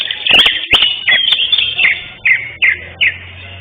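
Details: Competition-winning greater green leafbird, first place in session 5 of a contest held 11 October 2025, singing short high whistled notes with sharp upslurred and downslurred inflections, the last three evenly spaced about every third of a second, over loud clacks and a low hum.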